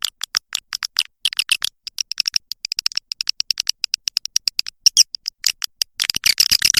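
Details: Swiftlet calling sound: long series of sharp, high clicking chirps repeated rapidly and unevenly, ending in a denser run of chatter.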